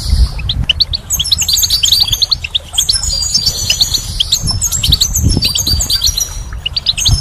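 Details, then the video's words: Lively spring goldfinch singing, with continuous high tinkling notes, quick chirps and buzzy trills tumbling over one another, and a deep low background hum throughout. "Goldfinch's Song"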